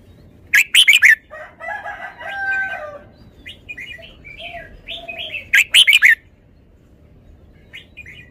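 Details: Here the cage-kept red-whiskered bulbul repeats loud bursts of four sharp notes about five seconds apart, with softer warbling and chirps in between.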